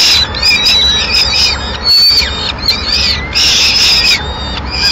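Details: Female peregrine falcon arriving at its nest in Madrid with the remains of a pigeon at mid-morning, giving harsh, grating screams in near-continuous bursts, with thin higher whistled notes threaded between them.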